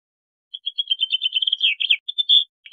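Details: Bluethroat singing a rapid, continuous warbled phrase of high, tightly packed notes that runs about two seconds and ends in a brief ringing note, with no other sounds.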